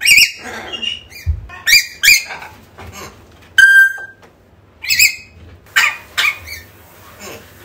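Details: African grey parrot calls for luring a lost bird back: a rapid mix of short chirps, clicks and rasps with one clean sustained whistle in the middle, plus a soft low thump.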